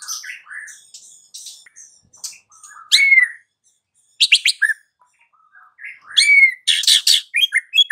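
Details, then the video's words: Afternoon song of a white-rumped shama used to stir a quiet bird to sing: sharp chirps, rising whistled slurs and dense high buzzy bursts, delivered in quick, broken phrases. "PANCINGAN Murai Batu SORE hari"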